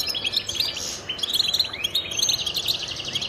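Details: Goldfinch song from a male defending territory and courting mates: busy jingling chatter of high notes, with a drawn-out buzzy note early on and several sweeping rising whistles later.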